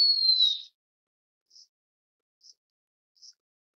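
Blue-winged minla: a clear, high, slightly falling whistle, followed by three faint short high notes spaced about a second apart. The background is otherwise quiet.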